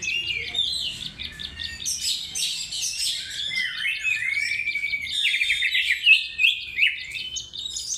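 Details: Oriental magpie-robin singing as a training lure, a continuous rich medley of high chattering notes, clear whistles and downward slurs delivered at a fast, uneven pace.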